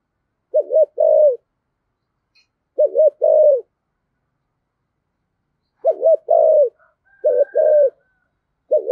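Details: Spotted dove repeating its thổ-style coo, meant to rouse wild-caught doves into calling: five phrases at uneven intervals, each a fast warbled double note then a longer falling coo, a faint high whistle near the end.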